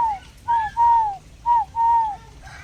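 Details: Spotted dove giving a series of smooth, slightly falling whistled coos: one short note, then pairs of a short coo followed by a longer drawn-out one, over a soft low background hum.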